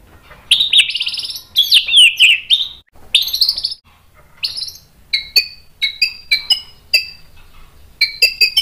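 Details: Agitated white-rumped shama singing to provoke rival males: loud tumbling whistled phrases first, then a steady series of short clear two-part notes repeated about twice a second.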